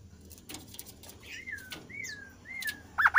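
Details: Kasu kasu bird in full voice, played to coax lazy kasu kasu birds into singing: three clear downslurred whistles spaced about half a second apart, ending in a loud wavering note, with faint clicks behind.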